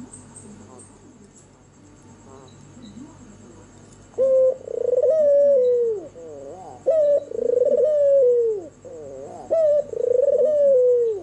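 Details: White albino turtle dove with red eyes calling at night. Four quiet seconds, then three low trilled coos arrive in succession, each opening with a short clipped note and rolling downward.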